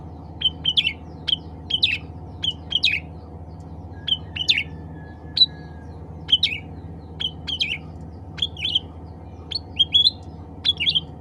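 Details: Black-capped bulbul (cucak ranting) calling to fellow bulbuls: a lively, steady stream of paired sharp chirps, each with a brief rising flourish, coming about twice a second, with a low steady hum beneath.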